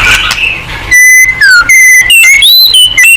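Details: White-rumped shama song meant to spark a reply: after a murky start, pure whistled notes, held then bent downward, followed by quick rising and falling whistles in short, crisp phrases.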